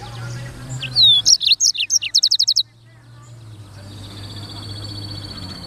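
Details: Black-throated canary phrase: swooping whistles and sharp high chirps run into a rapid, evenly spaced trill, followed by quiet with a low hum and a faint high steady tone.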